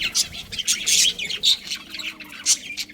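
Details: Several colony budgerigars squawk and chirp: brief harsh notes, a few higher squeaky tweets standing out, in quick uneven bursts.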